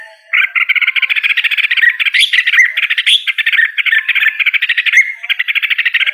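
A red-whiskered bulbul gives a steady, rapid, slightly harsh chatter for about six seconds, with a few brighter rising notes mixed in. No other sounds stand out.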